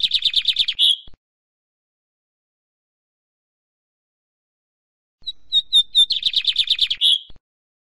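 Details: Lined Seedeater song: a fast, dry trill closing with a buzzy note, then silence, then a fresh phrase of spaced, sharp chips that runs into a dense rattling trill and ends on a rasp.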